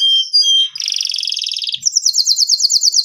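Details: Long gacor canary song used for baiting and song mastering: pure whistled notes, then a buzzy trill and a fast run of repeated high chirps.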